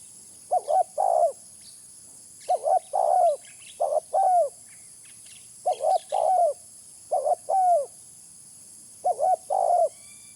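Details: Low, soft spotted dove coos used as a lure, grouped in phrases of a clipped double note and a longer downward-curving coo, given six times with brief pauses, over a faint steady hiss and distant small-bird chirps.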